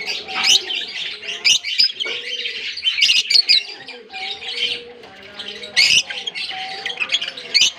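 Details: Loud chorus of an African lovebird colony, many birds giving shrill, rasping chirps and screeches in bursts, the chatter swelling and easing repeatedly, faint whistled tones beneath.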